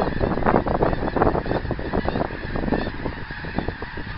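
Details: A flock of geese passing in flight, 24 January 2010, gives rapid, overlapping honks about three per second, strongest early and fading slightly, over a continuous rushing noise.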